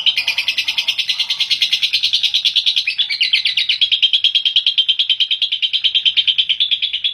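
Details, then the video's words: Lovebird of the josan type giving a long, sustained high chattering trill of rapid, evenly pulsed notes, about three per second, running unbroken for the full seven seconds. "Love bird josan ngekek panjang"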